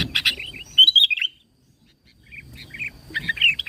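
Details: Sooty-headed bulbul in lure song used to attract other bulbuls. Scratchy chirps give way to a ringing, bubbly whistled phrase. After a pause, softer warbled notes return.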